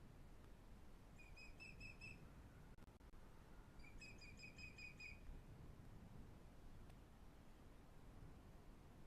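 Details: Osprey calling at the Pont Croesor nest in the Glaslyn Valley, Wales, a long-used breeding site: two short bursts of repeated, piping whistles a couple of seconds apart, then only steady low background rumble.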